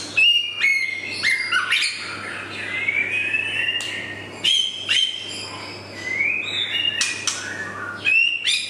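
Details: Young male white-rumped shama, murai batu, delivering a rich medley of long sliding whistles, rising glides and quick chips in varied phrases, with constant low electrical hum behind.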